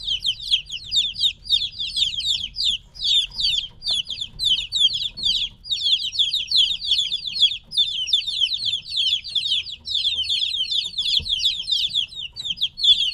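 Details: Three-week-old chickens kept apart from their mother chirp nonstop, a crowded chorus of sharp downward-sliding peeps packed closely together, steady and noisy throughout.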